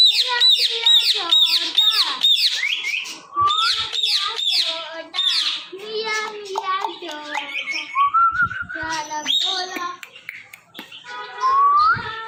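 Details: Indian ringneck parakeet kept as a talking pet chatters in speech-like phrases, with rapid harmonic syllables, some high squeaky notes and bending glides, almost continuous for twelve seconds indoors.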